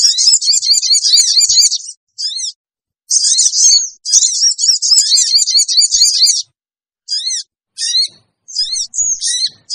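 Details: Sooty-headed bulbul screeching lure calls to attract wild birds: two long, fast, high chattering bursts, followed by scattered sharp chevron notes and short whistles.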